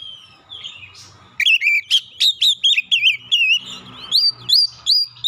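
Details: Song of an Oriental magpie-robin used to stimulate a stressed, untrained bird to sing quickly, played thirty minutes each morning, noon and night; after a soft start, a rapid regular series of loud trilled whistles, then rising slurred notes.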